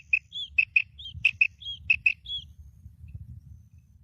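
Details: Female quail calling, a series of short sharp high chirps near the upper register, some paired, interleaved with brief downslurred whistled notes, about nine notes in two and a half seconds, then quiet with low background rumble.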